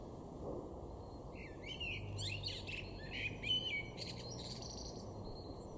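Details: Male Common Blackbird in a garden in Weener, East Frisia, northwest Germany, March 2024, delivers one fluted, warbling phrase that ends in a rapid high twittering flourish, against faint low background hum.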